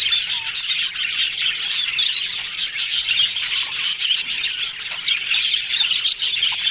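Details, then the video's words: Happy chatter from yellow budgerigars: steady overlapping warbling and chirping in a thick high band, with sharp ticks and short squeaks scattered throughout. "Yellow Budgies Talking Sounds Happy"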